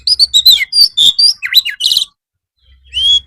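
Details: White-rumped shama master song for training birds, meant for afternoon therapy: a rapid burst of varied whistled and chattering phrases, some notes sweeping down, a brief pause, then a clear rising whistle.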